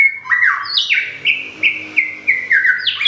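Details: White-rumped shama from Thung Song, Thailand, a newly moved bird whose moulted plumage has nearly regrown, sings a fast series of clear whistled notes, each dropping in pitch, repeated about three times per second, with no other sounds.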